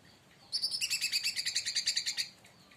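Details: Leafbird (local names cucak ranting, cica daun) stirred up by another bird; one continuous rapid trill of about sixteen evenly spaced, high, chirping notes lasting under two seconds.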